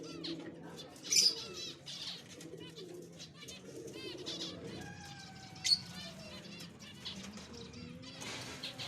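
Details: Several zebra finches bathing give busy, nasal, toy-trumpet beeps and chatter, with sharp splashing and wing-flutter bursts.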